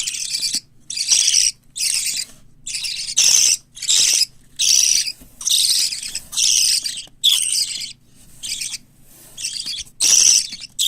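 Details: Parakeet nestlings, a mix of white lovebird, cockatiel and budgerigar, growing well indoors, repeat grating, wheezy calls a little over once a second in a steady, insistent run.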